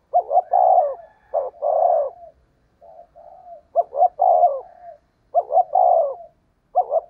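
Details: Spotted dove cooing as a decoy, fast 'giọng thổ đồng' 'thúc gù' style. Two clipped notes and then a long throaty coo, repeated four times, with quieter gurgling notes in the gaps.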